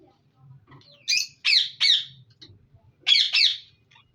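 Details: Budgerigars in a breeding colony give three abrupt rasping squawks in quick succession, a short pause, then two more, over soft scattered low sounds.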